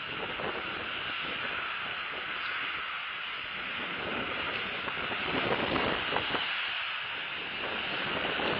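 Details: Steady broadband wind and rumbling noise fills the recording, with no animal call standing out.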